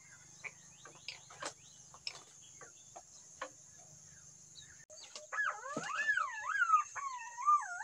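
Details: Green pigeon: after several seconds of scattered clicks and taps over a low hum, a loud wavering fluty whistle begins, swooping up and down for about three seconds.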